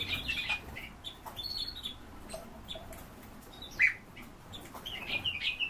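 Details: Eurasian bullfinch pair calling, short piping whistles at the start, a single sharp note near four seconds and more whistled notes at the end, with light background rustle.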